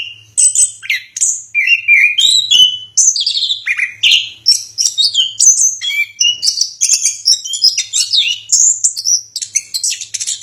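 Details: Song of an orange-headed thrush, a long varied stream of sweet whistles, trills and quick chattering notes mixing high and middle pitches, delivered almost without pause.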